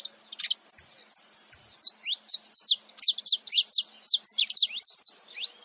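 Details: Saffron finch male and female together making noise: sparse high chirps at first, then a rapid sequence of loud, sharp, descending notes from the middle onward.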